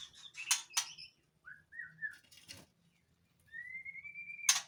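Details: Captive white-rumped shama at a breeding facility during mating season, singing in breeding condition: sharp, loud broadband bursts, short slurred whistles, then a long, gently rising clear whistle, ending in another harsh burst; a low hum sits beneath.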